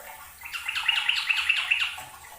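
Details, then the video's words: Yellow-vented bulbul (trucukan) singing busily for a training recording: a short, bubbly run of about six quick chirpy notes, rising and falling, over about one and a half seconds, with soft background hiss. "MASTERAN TRUCUKAN RAJIN BUNYI || kicau burung trucuk rajin bunyi"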